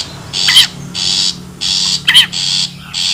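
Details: Long-tailed shrike from the wild, used to attract birds: rhythmic harsh rasping bursts, with two squealing down-slurred notes breaking in.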